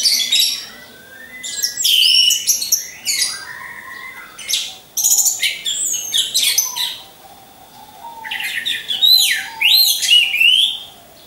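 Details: Lure song from a caged orange-headed thrush hung in a line of cages: bursts of loud, jumbled chirps, whistles and harsh notes separated by brief quieter gaps, with a soft background hum.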